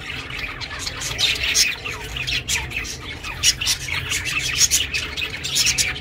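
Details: Chirping pet budgie, recorded for budgies living alone; lively stream of sharp tweets, clicks and buzzy warbles, several louder bursts, faint hum below.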